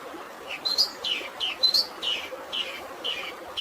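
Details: Long-tailed shrike, singing a fill of fighting sparrows for stressed birds. Short, down-slurred, slightly buzzy notes repeat about twice a second, mixed with thin high whistled squeaks.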